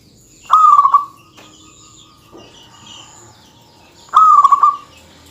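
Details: Singing local zebra dove, lively and dense-voiced, used to goad rival males: two brief stuttering coo phrases about three and a half seconds apart, each a quick run of pulsed notes on one tone, with faint hum between.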